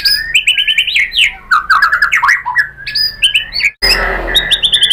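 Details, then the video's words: Lure song of a white-rumped shama, played to excite other shamas into answering: rich, varied bursts of whistled notes, rapid trills and harsh chattering, with a sudden break midway before the song resumes. "MURAI BATU Langsung NYAMBER EMOSI BONGKAR MATERI ¦ PANCINGAN MURAI ¦ SHAMA BIRD"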